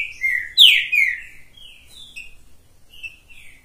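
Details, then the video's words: Top-quality green-winged saltator singing while perched on a hand: a loud burst of rich, slurred whistles falling in pitch, then softer short whistled notes trailing off against a quiet background. "Trinca ferro top das galáxia cantando na mão!"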